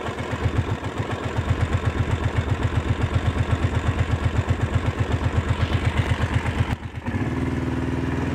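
An idling motor throbs in rapid, even pulses about four per second, then shifts to a steadier hum near the end, with no animal sound.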